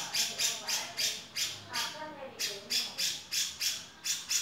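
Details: Grey-cheeked bulbul, a male, repeating loud scratchy chattering notes at a steady quick pace of about three per second, each note a brief noisy burst.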